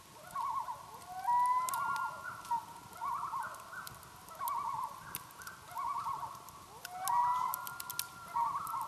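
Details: Common loons on Langford Lake in Michigan's Upper Peninsula, wavering laugh-like tremolo phrases repeated about every second and a half, some rising higher, over crackling and popping of a campfire.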